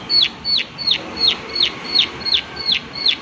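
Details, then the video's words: Prinia repeating a loud, sharp click nearly three times per second, every note a short high downward slur, steady and even in rhythm with little else heard. "Prenjak Klik Klik Gacor Suara Alam Dan Isian || Prenjak Klik Klik Pasti Nyaut"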